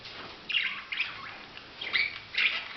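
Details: Budgerigar call notes: four or five short, squawky chirps spaced about half a second apart, each a quick scratchy burst, over a faint background hiss.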